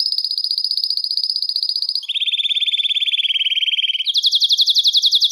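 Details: Belgian canary singing, used to attract and call canaries: a fast high trill that steps down to a lower rolling trill, then jumps to a louder, slower trill of bright repeated notes.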